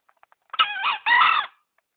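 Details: Tame captive green junglefowl, caught by luring in Gunungkidul and kept for three months, gives a loud harsh two-part crow: a rasping first note, a brief dip, then a longer strained second note. A few faint clicks come before it.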